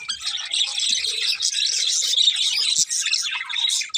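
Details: Budgies chirping: a dense, continuous chatter of rapid high twittering and warbling notes with brief squawky bursts, several birds calling at once with barely a pause.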